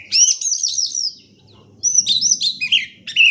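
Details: Singing oriental magpie-robin used to stimulate birds that stay quiet: a bright high warbled phrase, a pause, then a varied run of descending whistles and a final sharp note.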